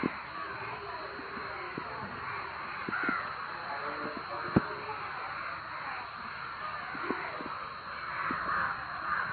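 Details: Crowd of crows making loud noises in a village setting; dense, overlapping harsh caws fill the whole stretch without pause, with scattered sharp clicks and taps underneath.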